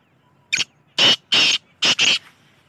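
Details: Black francolin calling: a harsh, grating phrase of five loud, scratchy notes within about two seconds, the first short, then three longer rasping notes and a doubled final one, against a quiet background.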